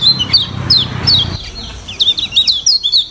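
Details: Lemon-bellied white-eye training recording with varied song: thin high whistled notes sliding downward, scattered then quickening into rapid chirps, with a low hum underneath for the first half.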